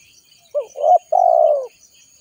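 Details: A calling spotted dove used to lure wild birds gives one phrase: a brief upturned note, a swelling throaty note, then a long, purring, gently falling coo. The surroundings are quiet.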